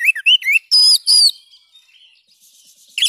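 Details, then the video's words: Oriental magpie-robin (kacer) gives a fast burst of varied whistles with slurred rising and falling notes and a few harsher phrases, then goes quiet; used as a tutor song to get silent birds singing again. "ampuh membongkar burung kacer macet"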